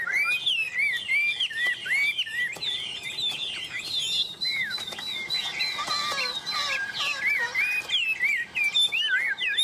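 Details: Tame Chinese hwamei perched on a person's hand, singing vigorously: a continuous, rich stream of varied whistled phrases, slurred rising and falling notes packed closely together, mixed with sharp clicks and brief fluttering sounds.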